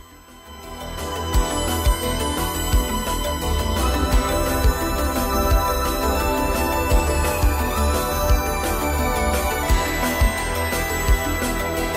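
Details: Steady instrumental music with a strong bass beat and sustained tones fills the whole recording, with no animal voices.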